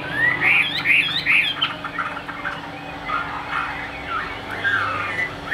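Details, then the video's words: Caged Chinese hwamei kept as a songbird in Vietnam, praised for fast delivery and a very fine voice: loud looping whistled phrases for nearly two seconds, then softer slurred warbles with a low steady hum underneath. "Tốc độ mỏ quá ok, đầu mặt đẹp chất giọng cực kỳ hay | Họat Họa Mi"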